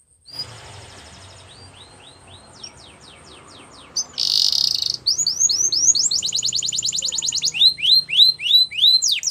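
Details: Spanish Timbrado canary song for training: faint scattered notes at first, then a brief buzzy burst followed by loud repeated descending whistles and quick rolling trills.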